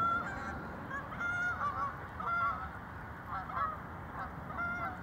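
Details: Geese on the Fox River at Elgin, Illinois, in 2022, giving nasal honks about every second or two, some doubled, over a steady rushing background of water and traffic.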